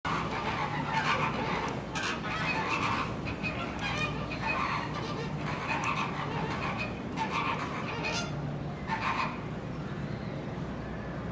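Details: A White-bellied Green Pigeon at a zoo in Kochi, Japan, on 24 March 2018 gives nasal, wavering fluted notes in bursts every second or two over a steady background hum.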